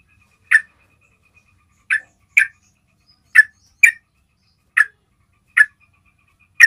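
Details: Yellow-vented bulbul (Pycnonotus goiavier) basic call used to lure bulbuls, short, harsh chipping notes at an uneven pace, about eight in under seven seconds, over a faint thin whistle; otherwise quiet.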